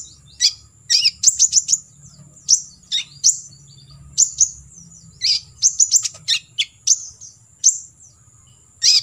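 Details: Olive-backed sunbird in full 'tembakan isian' training song: clustered shrill chirps and buzzy slurred notes in irregular bursts roughly every second, a steady faint high whine and soft low hum behind.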